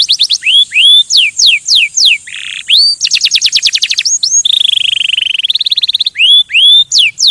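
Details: Stimulating song of a canary, mixing rising and falling whistled slurs, a short harsh low burst, rapid trills and a steady rolling low tour, loud and unbroken.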